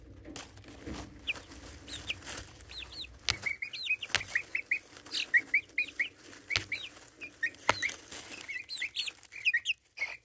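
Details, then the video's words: Chicks about four and a half weeks old, filmed by a phone left among them: a steady stream of short, high, slightly rising and falling peeps from several birds, with scattered clicks and taps. "4 and a half week old chicks making curious sounds"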